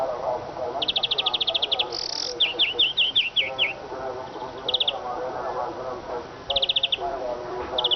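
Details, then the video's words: Eurasian siskin song: a quick rattling trill, a brief wheeze, then a run of sharp upslurred chirps and scattered short trills, with a faint low murmur of voices behind. "iskete kusu sesi"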